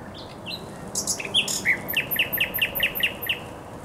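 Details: Song of a thrush nightingale in spring, Żerań Canal, 24 April 2022. Buzzy and whistled opening notes lead to a steady run of about nine short, bright repeated notes.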